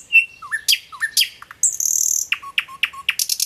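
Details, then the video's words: Common nightingale singing a varied phrase of clear whistles and sharp clicks, a brief buzzy trill, then a run of rapid repeated chirps, with no other sounds. "singing nightingale"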